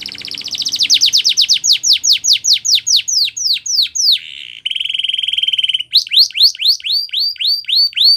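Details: Canary song used to get other canaries singing: a long series of loud falling sweeps that quicken, a brief buzzy rolling tour, then a string of crisp upslurred notes repeated about three per second.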